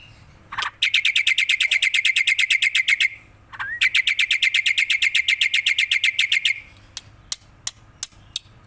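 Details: Black-winged myna, a tame bird bobbing its head, gives two long fast trills of ringing repeated notes, each opening with a short upslurred whistle, followed by scattered sharp clicks.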